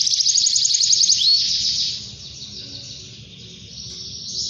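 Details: A canary calling to a rival delivers a fast, regular high trill for about two seconds, then the singing softens to a quiet buzzy murmur before rising again.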